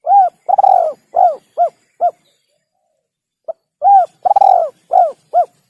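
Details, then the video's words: Spotted dove singing: two phrases of soft, low coos, each a few short hooting notes and a longer rolling coo, separated by a pause of over a second; no other sounds. "suara burung tekukur terbagus"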